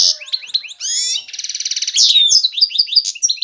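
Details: Excited song of a male European goldfinch seeking a female for mating: quick chirps, a buzzy rattling trill, then bright descending slurs and repeated sharp twitters.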